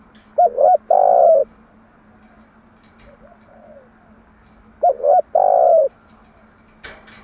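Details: Morning song of a spotted dove used as a lure for training doves: two identical phrases about four seconds apart, each a pair of short coos then a drawn-out mellow coo, with a soft murmured note between them.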